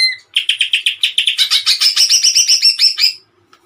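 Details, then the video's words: A greater green leafbird, called cucak ijo, in 'gacor' song: one whistle, then an accelerating run of about twenty-five rapid, ringing notes that rise slightly in pitch before stopping. "CUCAK IJO GACOR TEMBAKAN MANTAP"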